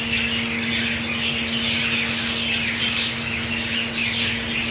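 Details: Budgies in a colony, green food on offer, giving loud dense chatter with raspy squawks and high twittering throughout, accompanied by a constant low electrical hum.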